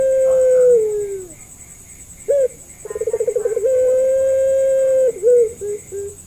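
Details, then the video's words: Pelung-style puter call used to entice other Barbary doves to respond: a long coo fading downward, a sharp short note, a quavering pulsed stretch, then another long level coo ending in brief dipping notes. "SUARA AMPUH❗, PANCINGAN MASTERAN BURUNG PUTER"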